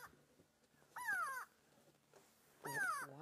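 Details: A grey go-away-bird screaming from above on a sunset safari drive on 27 June 2016, apparently upset, gives two harsh nasal drawn-out downward-sliding screams about 1.5 seconds apart; the species alarm-calls at predators. Faint background hum.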